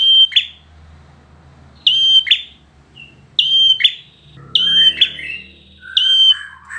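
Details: Bar-winged prinia of competition standard repeating its phrase five times: a pure, sustained high whistle ending in a harsh downward buzz, with extra lower chattering notes tumbling in during the later phrases.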